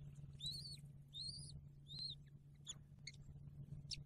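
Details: Bald eagle at the nest shortly after the first eaglet hatched in December 2022, during feeding time: three thin, high, arched chirps in quick succession, then softer clicks, over a steady low hum.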